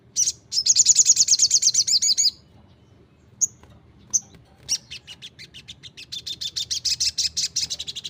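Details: Crimson Sunbird in full 'gacor' song, opening with a long, shrill, rapidly pulsing trill, pausing for two thin single chips, then building into a sustained run of quick, high repeated notes.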